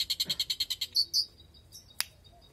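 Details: Long-tailed shrike (cendet), a prospective contest bird, used to encourage silent shrikes to sing: a quick run of about ten evenly spaced, bright chattering notes, two drawn-out squeaky notes, then near quiet with a single click.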